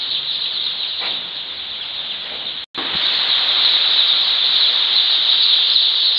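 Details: Baby chicks just after hatching on their first day at a poultry farm during brooding; a dense, unbroken chorus of high, shrill peeps from many chicks blends into a steady wall of sound, briefly cut off once partway through.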